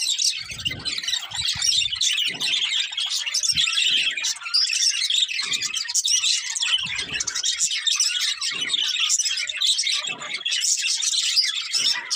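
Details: Breeding pair of colourful budgerigars keeps up constant bright, scratchy twittering and quick chirps, with occasional faint low knocks scattered through the recording.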